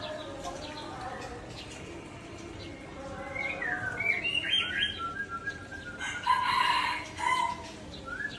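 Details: Aceh white-rumped shama, agitated and showing off its imitated repertoire: soft low whistles, then varied chirps and rising and falling whistled phrases climbing to bright, loud notes, with quick shifts between note types.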